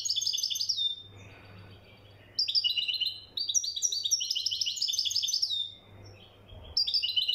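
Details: Moroccan European goldfinch, called mkhantar, sings lively bursts of sparkling twitters and nasal buzzes, with silent gaps of about a second between outbursts and a low hum underneath.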